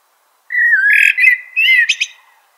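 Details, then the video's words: A common blackbird delivers one smooth, flute-like phrase that dips and rises, then finishes in a sharp high twitter. The background is quiet. "Natural Birds Voice, Bird Natural Sound.Common Blackbird."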